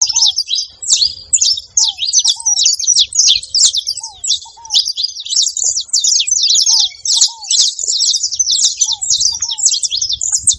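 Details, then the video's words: Saffron finches making noise at a feeding spot: a dense, continuous chatter of high, sharp chirps from many birds, with short lower down-slurred whistled notes recurring every second or so. "Canário da terra fazendo barulho na seva"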